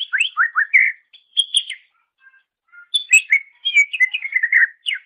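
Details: Master training recording of greater green leafbird song: rich, fast-changing whistles and chirps, swooping and slurred notes strung into dense phrases with a short gap midway, clean with no background noise.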